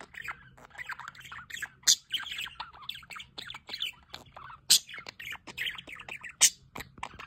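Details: Flock of budgerigars beside a solar water fountain, keeping up dense twittering warbles punctuated by three loud, harsh squawks spread across the stretch.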